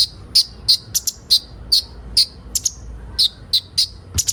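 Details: Sunbird known as kolibri ninja, recorded for training young birds to sing quickly. Loud, high, sharp chirps with a slight downward slur are repeated irregularly, some as quick doubles, over low background rumble.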